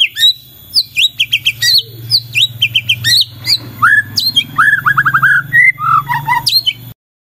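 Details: White-rumped shama singing loudly to provoke other shamas: dense rapid run of chirps and squawky notes, then a quick string of looping whistles, over a low background rumble.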